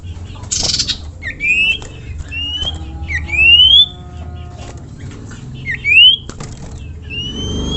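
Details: A common iora gives a call that invites other ioras to sing. About five clear rising whistles, each swept upward, come at irregular gaps over a low steady hum and some clicks.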